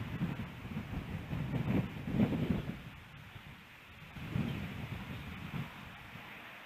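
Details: Gusty wind rumbling against the microphone in uneven surges, with rustling and no clear animal call.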